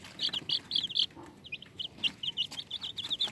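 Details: Cute chicks making squeaky sounds: a rapid stream of high, short chirps, some doubled, continuing throughout against a soft noisy background.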